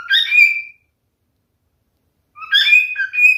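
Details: Male cockatiel singing two short bursts of whistled, sliding notes separated by nearly two seconds of silence.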